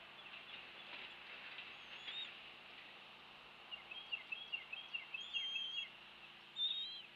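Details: Bald eagle at a rebuilt nest on Captiva Island, Florida, after Hurricane Ian, recorded by nest camera on 2 February 2023 around 10:21; a quick run of high, thin chittering notes mid-clip, then a sharper squeal, over steady hiss.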